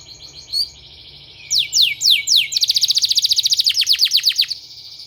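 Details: Canary singing as a training therapy sound: an isolated chip, then four slow downslurred whistles, followed by a long, fast, even trill of high repeated notes lasting nearly two seconds.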